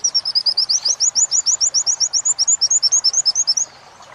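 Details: Oriental white-eye tutor song for training captive birds, in the wit-wit joined to kuntilanak style: a rapid run of high, bright, rising whistled chirps, about two per second, steady for over three seconds, then stopping.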